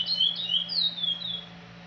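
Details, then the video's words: Chestnut-bellied seed finch of the praia liso song type from Pará, Brazil: a short run of clear whistled notes, sliding and slightly descending, over a steady low electrical hum. "curió praia liso do Pará"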